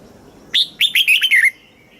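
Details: Thai caged red-whiskered bulbul giving southern master-phrase song for stimulating caged birds and teaching young: a sharp opening note then a run of four rolling, slurred whistles that drop in pitch at the end.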